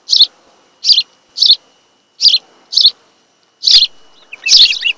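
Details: Osprey of a mated pair nesting on Kent Island, Maryland, recorded by webcam in July 2018 afternoon: shrill, clipped whistles repeated roughly every half second, ending in a louder, more broken, tumbling note.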